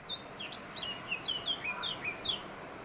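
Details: Eurasian blackcap (Sylvia atricapilla heineken) singing at Sardina de Gáldar, Gran Canaria, 14 March 2019: a rapid, high warble of short varied notes, some slurred up and some down, over a steady background hiss.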